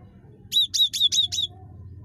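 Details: Cinereous tit (gelatik batu), a very chattery individual, used to lure other birds into calling; five evenly spaced, high, sharp notes in a short rattling run with faint low room hum.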